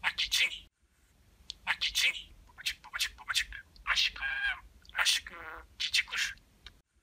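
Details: Talking budgie mimicking human words and kisses: rapid hoarse syllables in phrase-like strings, with two buzzy rattled trills and sharp smacking clicks, recorded indoors.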